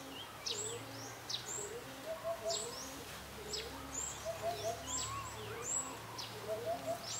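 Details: Eurasian hoopoe giving soft, low, hollow triple 'oop-oop-oop' notes every couple of seconds, said to be calling the female to come and take food, under sharp, high chirps of other birds and a low hum.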